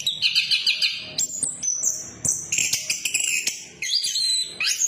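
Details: Orange-headed thrush song used as a lure for birds that have stopped singing, in a 'ngeplong' and 'ngeriwik' style: rapid high whistled phrases, varied and jumping in pitch, with short pauses between bursts.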